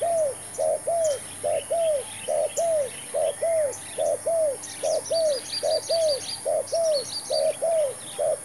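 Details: Spotted dove serving as a decoy in a trapping attempt with a new bird and new trap; steady run of paired coos, short note then a longer sagging one, while thin high chirps from other birds sound mid-clip.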